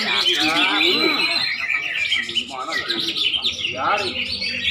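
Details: Greater green leafbird singing a dense, fast medley of bright whistles and chattering notes, with rising and falling slurred phrases packed closely together and a few lower, rounded notes between them.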